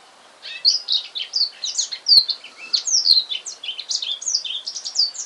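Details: Black-throated canary, a male newly bought and singing at home: continuous fast chattering warble of high whistled and trilled notes lasting about five seconds, with two faint clicks.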